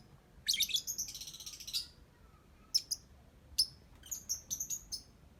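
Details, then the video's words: Singing lovebird giving a dense burst of shrill, scratchy chatter, followed by spaced sharp chirps and a final cluster of quick high twitters. "Love Bird Cantik Pinter Nyanyi"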